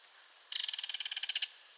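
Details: Belted kingfisher giving a single dry, harsh rattle of about twenty rapid, evenly spaced clicks lasting roughly one second, with a quiet background.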